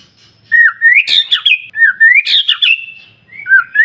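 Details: Song of a white-rumped shama, played to stimulate other shamas to sing; looping whistles climb upward and break into harsh, rasping accents, repeated twice with a short pause.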